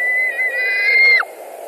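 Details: A single drawn-out whistled scream from a white-tailed eagle at a Latvian nest during a carp delivery and fighting, August 2020. The note is held steady for over a second, then drops sharply.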